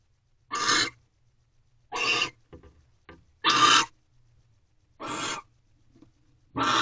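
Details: Male barn owl at an owl box at night, 12:11 am on 3/8/23, delivering a rabbit to the female after egg laying: harsh, broadband hissing screeches, five short rasping bursts about every second and a half, with faint scraping between.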